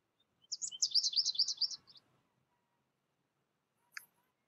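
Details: Young American goldfinch raised in isolation and learning from a tutor recording gives one quick burst of high, jumbled twittering notes lasting about a second and a half, followed by silence and a single sharp click.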